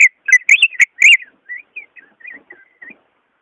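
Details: Greater green leafbird song, used to coax a reluctant caged leafbird into singing: a loud burst of rich, ringing whistled notes with chattering overtones, then softer scattered whistles and short slurred phrases trailing off into silence.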